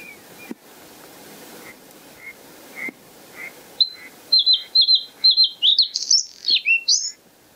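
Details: White-spotted bluethroat (Luscinia svecica cyanecula) singing at Kølsen-Skals Engsø on 10 April 2020. Soft, spaced mid-pitched notes open the phrase, then a run of quick repeated metallic notes builds into varied, higher, twittering and buzzy flourishes near the end.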